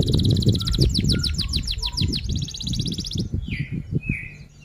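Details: Loud F1 canary song in 'rol tembak' style: rapid, high rattling rolls of sweeping notes lasting about three seconds, followed by two short buzzy whistles. Low rumbling background noise.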